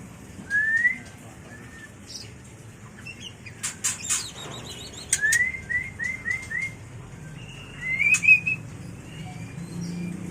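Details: Mating song of a white-rumped shama, played for bird training and luring: short rising whistles, a quick run of four upslurred notes, then a bright trill near the end, with clicks and a flutter between.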